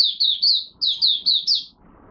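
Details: Malaysian mata puteh, or oriental white-eye, in its first warm-up of the day, 01/08/2023: seven bright, high whistled notes, each slurring downward, delivered in two quick groups.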